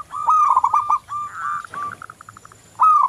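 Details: Local zebra dove song as a lure for other doves: a long, sustained bubbling coo phrase, then a softer rapid series of short coos fading out, and a fresh loud phrase starting at the end.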